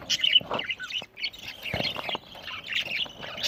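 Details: Eating budgies in Larkana, Sindh, recorded November 1, 2023, give harsh squawky chirps and nasal warbles in a dense overlapping chorus, with a brief lull before the chatter resumes.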